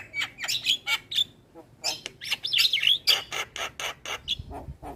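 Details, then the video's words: Javan myna song played to train other mynas, a busy stream of harsh chatter, squeaky whistles and warbled twisting notes, repeated roughly four times a second with irregular spacing. "Masteran Jalak kebo Gacor Manggut Manggut Semua Burung Jalak Langsung Gacor"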